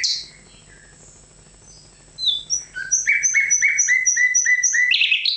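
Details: After a loud opening chirp and a pause, the nightingale repeats a paired note evenly about four times a second, ending in a burst of harsh, buzzy sound.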